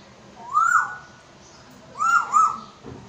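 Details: Pet African grey parrot from Pakistan, known for talking in Urdu, gives a single swelling, slightly falling whistle, then after a pause a double whistle with two quick peaks, each clear and tonal.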